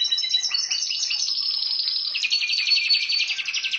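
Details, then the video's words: Domestic canary singing a dense, bright warble that flows into a fast, even rolling trill, high-pitched and unbroken throughout. "Mon canari chant"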